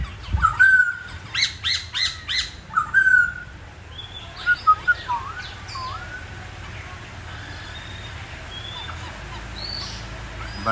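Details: Laughingthrush giving 'Bắt cô chói cột' song. Strong, loud whistled notes repeat several times in the first three seconds, then a few sharp clipped notes and quiet, distant slurred whistles follow over faint rural background.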